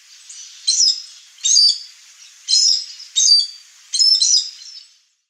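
Chestnut-eared aracari giving five sharp, high, squeaky screeches, some doubled, spaced under a second apart; nothing else heard.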